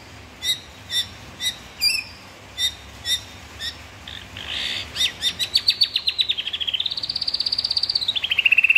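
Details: Murai batu, the white-rumped shama, with evenly spaced high clipped notes that speed into a rapid rattling trill, then a long sustained high whistle sliding down at the end.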